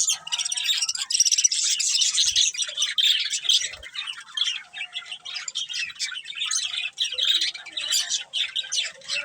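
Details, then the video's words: Colourful budgies chirp and squawk in a continuous high, scratchy warble, notes tumbling rapidly over each other for the whole stretch with little background noise. "Colourful Budgies Chirping Sounds"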